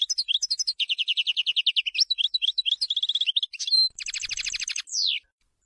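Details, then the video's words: European goldfinch singing, a selection meant for teaching young birds: a long, unbroken stream of rapid rolling trills and tinkling twitters, then a harsher buzzy rattle and a final descending slurred note before silence. "تغريد الحسون لتلقين الفراخ"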